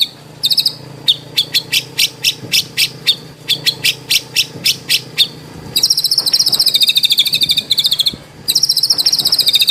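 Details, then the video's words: Indonesian murai batu (white-rumped shama) training song with no coughing sounds: a series of sharp, evenly spaced high clicks, then long rapid buzzy trills. "MASTERAN MURAI BATU ISIAN MEWAH MATERI FULL TEMBAKAN KOMPLIT TANPA BATUK BATUK.."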